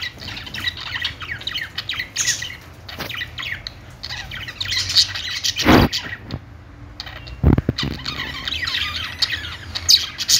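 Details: Budgerigars warbling and chirping continuously, high chatter broken by two loud broadband thumps partway through and a brief quieter gap.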